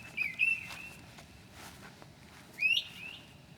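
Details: Northern mockingbird at 2 a.m., 9 July 2008, imitating other birds: two brief whistled phrases, the second sweeping upward, separated by a long pause over faint steady background hiss.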